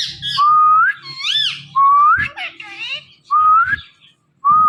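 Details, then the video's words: Pet Indian ringneck parakeet talking indoors, mostly clear rising whistles repeated every second or so, mixed with wavering speech-like harmonic phrases and low background hum. "Funny Indian Ringneck Talking Parrot"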